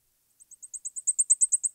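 Blackpoll Warbler song: a rapid series of about a dozen piercingly high, thin notes, roughly eight per second, swelling steadily louder. Nothing else is heard.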